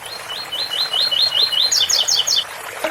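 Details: Ouro fino song from a double-collared seedeater, stated as 8x4 or 7x4, with a water fountain behind. Crisp rising whistles repeat rapidly before four higher, falling double notes, and a soft knock sounds at the end.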